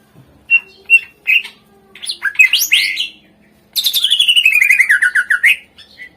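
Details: Greater green leafbird varied song to prompt lazy birds: a few separate chirps, a harsh rising flourish, then a long fast trill of descending notes ending in a short whistle.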